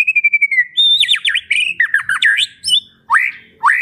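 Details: White-rumped shama song with a full varied repertoire: a steady whistled note sliding down, then wavering high warbles and two sharp upward sweeps.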